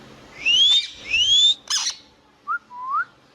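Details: Indian ringneck parrot kept as a pet: two loud, rising whistled slides, a harsh burst of screech, then two softer upslurred whistles after a pause.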